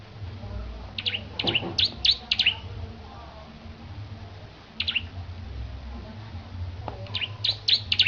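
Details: Bar-winged prinia in full song while being prepared for a singing competition: bursts of sharp, high chirps in quick clusters of three to five notes, separated by pauses, over a low steady hum.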